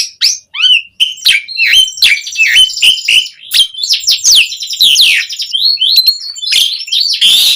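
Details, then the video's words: Energetic, rich song of an Asian pied starling, used to coax other starlings into singing: a dense, fast stream of high chirps, sharp whistles and harsh rasping notes with almost no pauses. "Suara Jalak Suren Gacor Langsung Ampuh bikin Bunyi buat Pancingan Burung Jalak Agar Gacor Full Isian"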